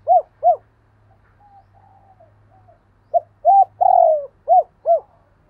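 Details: Two short arched coos from a spotted dove, soft distant cooing from another bird, then a full loud phrase ending in a long falling coo and two arched notes, cooing in a pair.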